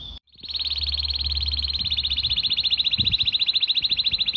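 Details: Canary rolling song used for training other birds: one long, steady, rapidly pulsed trill held at a single high pitch for several seconds, growing slightly louder, with faint low background hum.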